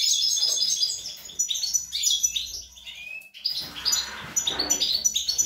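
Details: European goldfinch, young, 25 April 2021, delivering rapid bright twitters and tinkling trills, a brief pause with one clear whistled note, then the jumbled chattering resumes.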